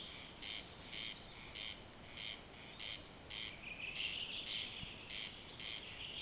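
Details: Corn crake singing at night, unseen, rasping a dry, scratchy crex-crex about twice a second, steady and insistent; a faint thin whistle from another bird slips in midway.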